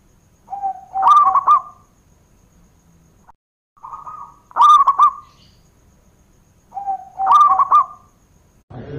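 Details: Local zebra dove singing to lure replies from other doves: three repeated phrases, each a low coo leading into a loud, jerky trilled flourish, spaced about three seconds apart.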